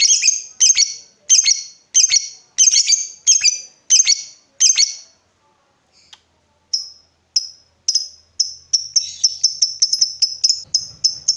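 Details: Lovebird calls played to coax others into long ngekek trilling: a run of shrill clipped chirps, a short pause, then thinner high notes that speed up into a quick patter.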